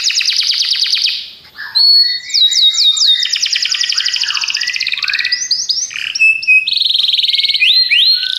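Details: Belgian canaries give a bright song: buzzy trills, then long runs of quick repeated whistled notes and rattling phrases, ending in sliding upward notes.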